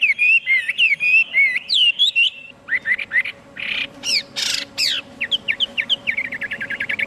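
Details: Chinese hwamei song that opens with repeated looping whistles, shifts into rough, buzzy bursts and steep falling notes, then ends with a rapid series of short, clipped chips.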